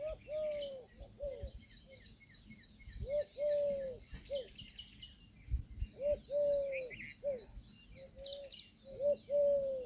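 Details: Indian peafowl, described as a peahen, giving short arched tonal notes, singly and in quick pairs, repeated in bursts every few seconds, while small birds chirp and twitter faintly in the background.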